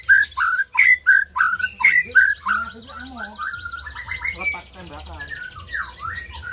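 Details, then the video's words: White-rumped shama song for encouraging silent birds to sing: a string of loud descending whistles about every half second, followed by quicker warbling, rattling trills and varied chatter. "SUARA MURAI BATU BUAT BURUNG MACET BUNYI"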